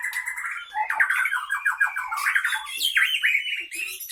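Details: White-rumped shama of Aceh Leuser stock from Pining, Gayo Lues, Aceh, caged and fighting; dense run of sharp warbled and whistled notes, slurred downward phrases, then a higher rising flourish.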